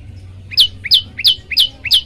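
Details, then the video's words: Olive-backed tailorbird song used as a training recording to set other birds singing: five sharp, bright chirped notes, each a quick downward slur, spaced about three per second after a quiet start, over a faint low hum. "masteran prenjak lumut bikin semua burung ikut bunyi"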